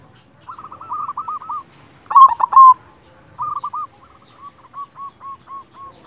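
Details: Silver local zebra dove in full song: runs of quick hooked coos, then a loud stuttering burst, then a long series of evenly spaced soft curling coo notes.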